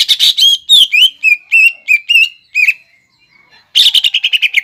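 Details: 'Nembak ngekek' song from a greater green leafbird, used to lure young leafbirds: slurred, bouncing whistled notes repeated quickly, a brief silence, then a dense, rapid chattering burst.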